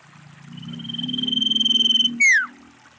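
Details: Female common iora giving a long, slowly swelling, fluttering high whistle, then an abrupt loud note falling in pitch, over a low rumbling hum.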